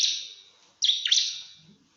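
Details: Bar-winged prinia calling a rival with 'nembak' notes: a shrill ringing note fading out, then after a short pause two sharp, high chirps with steep downward sweeps that trail off.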